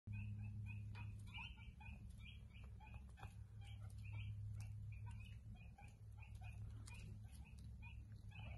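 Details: Attwater's prairie-chicken chicks in a barn at breakfast time: many soft, high peeping notes repeated steadily, about three per second, overlapping from several chicks, with a constant low mechanical hum.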